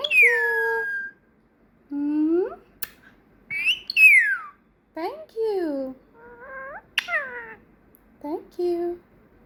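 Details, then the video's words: Female pet parrot, a quick learner trained to speak Peekaboo, Thank You and Muah, and recently to whistle. A long series of clear harmonic whistles with sweeping rising and falling glides is broken by short pauses and a few sharp clicks. "Says Peekaboo, Thank You, Muah, Whistling"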